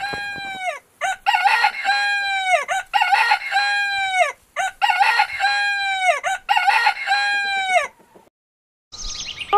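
A rooster crows in loud, harmonic-rich bursts, several phrases running back to back over about eight seconds, before a brief silence and a different noise at the end.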